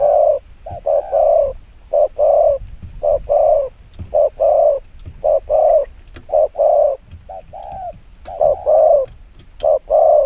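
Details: Spotted dove's very fast 'chiêu gù kích bổi' cooing, regular runs of two or three hollow, deep coos repeated for the whole stretch, with faint clicks.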